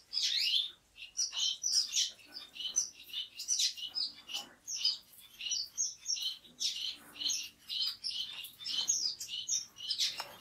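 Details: Orange-cheeked waxbill (Estrilda melpoda), native to central and western Africa, in a steady stream of high-pitched chirps and brief whistled notes, closely spaced and uneven, continuing for about ten seconds.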